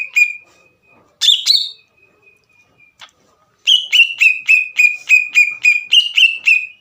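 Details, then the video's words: Singing green leafbird, a recording meant to stir rival birds into song: a sustained thin whistle, a brief harsh burst, then a steady run of about ten clipped, down-slurred whistled notes in quick succession. "MEMANCING CUCAK IJO LAWAN AGAR EMOSI DAN GACOR"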